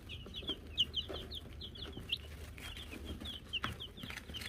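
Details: Young Wyandotte chickens of silver laced, gold laced and gold laced blue varieties peep in rapid, overlapping bursts of shrill, slurred notes, alongside light knocks, rustles and a faint background hum.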